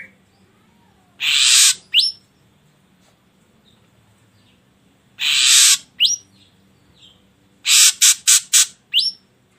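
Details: Ashy drongo song used to coax other birds to sing: sparse harsh hissing bursts with single rising whistles, ending in a rapid string of four or five short rasps, with pauses between.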